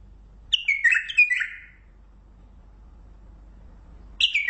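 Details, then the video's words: Mandali bulbul delivering a lively warbled phrase of slurred whistles that step downward, then a quiet pause before a second phrase begins near the end. "بلبل مندلاوي لسنات تغريد روعه"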